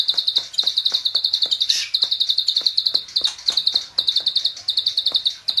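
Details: Klik-klik bird, a training recording in a full-burst style: near-continuous runs of sharp, high clicking chirps, repeated in quick series with brief breaks, with faint ticking clicks behind.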